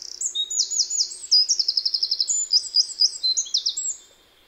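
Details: Eurasian wren (Troglodytes troglodytes), song.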